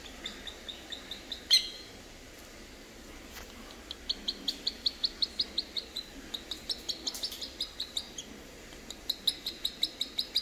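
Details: Three-week-old boat-billed heron chicks at Prague Zoo, giving a steady series of short, high, sharp chirps, several per second with small pauses, some notes louder and overlapping, over a faint background hiss.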